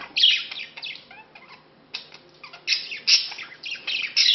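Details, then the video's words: Pet budgerigars during courtship and mating, the male wooing a female he met two months earlier; busy high chirruping warble with squawky bursts and short pauses in the middle, the chatter then picking up again. "Corteggiamento e accoppiamento cocorite"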